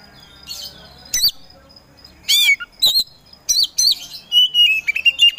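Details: Oriental magpie-robin (kacer poci) giving scattered sharp, squeaky whistled notes separated by short pauses, ending in a run of level, steady whistles.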